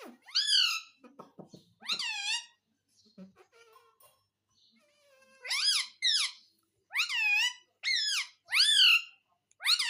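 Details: Pet parrot described as talking and saying "Mummy Papa"; loud harsh screeching calls in bursts, with a quieter run of clicks and chatter in the middle, then five strong squawks close together.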